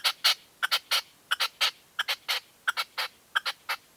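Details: A red-legged partridge decoy calls during a dawn hunting post in 2023, its rasping chuck notes grouped in quick threes and repeated steadily, strong and close throughout.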